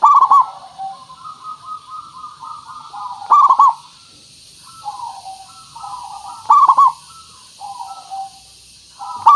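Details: Lure recording of a local perkutut (zebra dove) to make birds call back: loud stuttered coo bursts roughly every three seconds, alternating with softer, lower cooing phrases.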